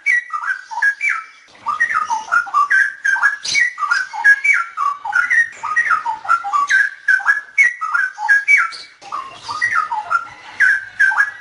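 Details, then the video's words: Loud, melodious straw-headed bulbul song, cleaned of disturbing noise: rapid chains of rich whistled notes leaping up and down, forming rolling phrases with brief gaps between bursts. "suara burung cucakrowo"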